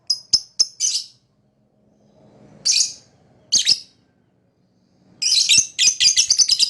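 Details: Shrill lovebird chirps come in quick bursts: a rapid run of three clicks and a harsher note, a pause, two scratchy calls, then a dense fast sequence of piercing high chirps.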